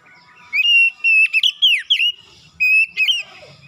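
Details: Oriental magpie-robin in vigorous morning song, showing off imitated phrases. Two bursts of long, flat whistles are each broken by quick downward slurs and chattering notes.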